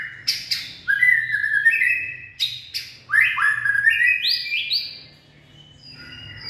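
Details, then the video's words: Purebred white-rumped shama in late-afternoon song, 18 February 2024: two bursts of rich whistled notes, each cascading in short stepped slides, opened by sharp clicks, followed by a soft fading tail. "Purebred Bird Song And Dancing/ Birds white-rumped shama.Late Afternoon Singing."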